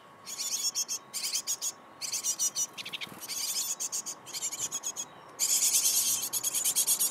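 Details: Great tit parent luring fledglings out of the nest hollow with food: high, hissy chirps in quick clustered bursts, several per second, ending in a denser, louder run over a faint hum.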